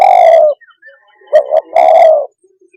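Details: Spotted dove calling, a sound used to stir up and provoke other birds; a long, low drawn-out coo, then a pair of short clipped notes, then a second long coo, loud and close with no other sounds.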